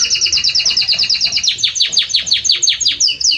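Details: Belgian canary singing strongly and warmly: a fast, loud train of high sweeping notes repeated about three times a second, first in an even roll, then as longer downward-slurred notes toward the end.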